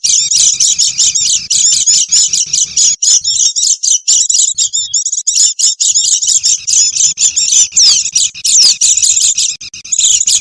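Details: Oriental white-eye chattering, a noisy lure for catching wild birds. Continuous high-pitched twitters and trills stream on for ten seconds, with a few clear downslurred whistles and a soft low rumble in places.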